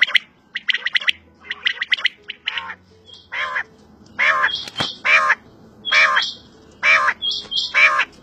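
A quail gives harsh, raspy, squawking bursts, roughly one per second, growing louder and more regular toward the end, with a faint low hum underneath.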